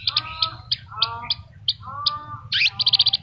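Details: Horsfield's bush lark in full vigorous song with filler phrases: mid-pitched harmonic whistled notes alternating with sharp high chirps, ending in a fast rattling trill of high notes.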